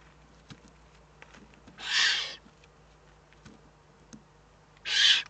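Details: Eurasian eagle-owl in the Eifel, recorded 3 May 2014: two loud, breathy hissing rasps about three seconds apart, each roughly half a second long, over faint scattered clicks and a steady low hum.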